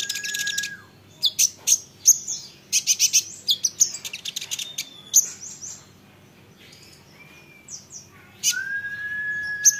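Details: Olive-backed sunbird singing to draw replies from other sunbirds: a lower drawn-out whistle, clusters of piercing high chips with quiet gaps, and a second long whistle near the end.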